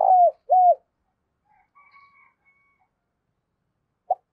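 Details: Decoy spotted dove calling to lure wild doves: two short mellow coos that drop at the end, a long quiet gap with faint soft bird notes, then a brief hoot.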